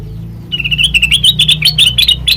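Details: Sooty-headed bulbul song used as a lure for training birds, a steady stream of quick, bright, bubbling notes lasting about two seconds over a low hum.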